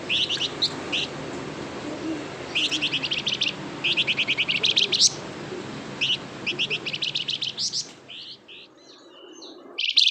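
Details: Flamboyan bird in energetic full song, used as a lure to make other flamboyan birds respond: bursts of rapid high chirped notes repeated in runs, with a constant low rushing hiss underneath.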